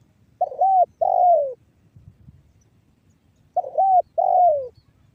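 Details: Spotted dove lure call in 'banggo bocor' style, Cirebon Utara, West Java, to make other doves sing: two phrases of an arched note followed by a drawn-out descending coo, calm background.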